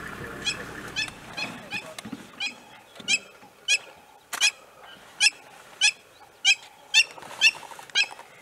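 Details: Crowned Lapwing calling intensively while a serval hunts nearby, Masai Mara, Kenya, 18 November 2018. Sharp, shrill, clipped notes repeat steadily about twice a second, with low rumbling noise and a brief voice at the start.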